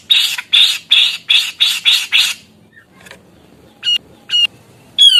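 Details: Active grey-cheeked bulbul delivering seven strong grating notes in quick regular succession, then after a pause a few thinner clipped nasal calls.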